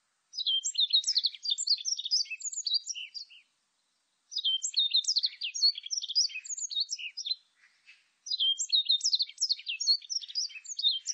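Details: Three rambling phrases of Warbling white-eye song, each a rapid cascade of high, squeaky notes rising and dipping, separated by brief silences.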